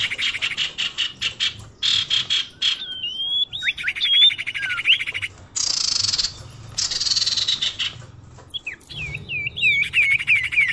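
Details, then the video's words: Lure calls of a common iora for attracting birds, alternating long dense buzzy rasps with twisting whistled phrases and a closing string of short downslurred whistles. "suara pikat burung sirdum/sirtu/cipoh"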